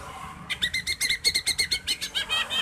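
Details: Greater green leafbird song played to bring another bird into breeding mood before a song contest: a fast series of bright, clipped whistled notes, about five per second, with a steady chattering rhythm.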